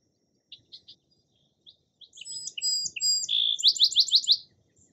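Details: Song sparrow song beginning with spaced short sharp notes, then a complex series of high notes, a buzzy tone and a rapid rising trill of repeated chips, loud and clear in a quiet setting.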